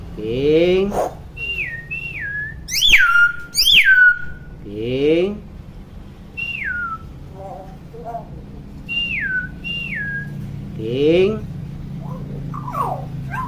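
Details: Chatty hill myna repeating sliding downward whistles in pairs, with nasal rising calls and a few sharp high notes between them, in a quiet room.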